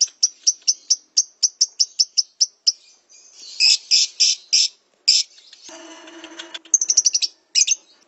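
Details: Lovebird training song for a caged bird, meant for morning or evening practice: rapid series of sharp high chirps, then louder buzzy notes and a short nasal trill, ending in quick chirp bursts.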